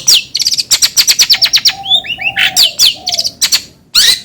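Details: Long-tailed shrike delivering a fast run of sharp descending chip notes, then curving whistled slurs and a harsh burst, ending with a loud falling whistle.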